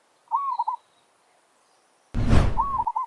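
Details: Village zebra dove challenging wild doves for territory. Two rolling cooing phrases, each a rising note with a stuttered ending. A loud rustling burst of noise overlaps the second phrase.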